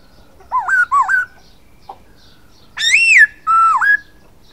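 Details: A silver-eared laughingthrush sings two wavering upslurred whistles, a brief soft note, then a loud rising-falling arched whistle and a level note that dips and rises.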